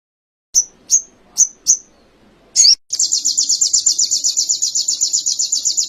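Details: Training recording of canary song: four crisp high chips spaced about half a second apart, a brief sharp flourish, then a fast, steady, high-pitched rolling trill.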